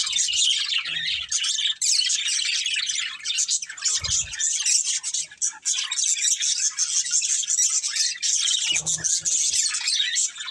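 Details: Pet budgerigars of a family group chirping continuously, a steady wash of high, busy twittering and chatter with scarcely any pause.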